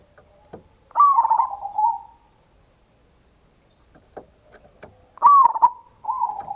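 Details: Zebra dove, a local bird, in a lure recording meant to make other doves sing: a loud warbled trill that fades into a purring coo, repeated after a silence.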